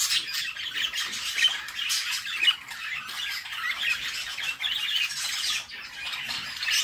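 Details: Budgerigar chicks begging as their mother feeds them inside a nest box: dense, hoarse, rasping squawks run on without pause, with brief dips in volume.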